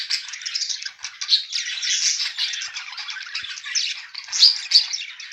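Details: Two mated budgerigars produce continuous loud rasping warble, fast clicking and squeaky notes blending together with a few sharp accents near the end.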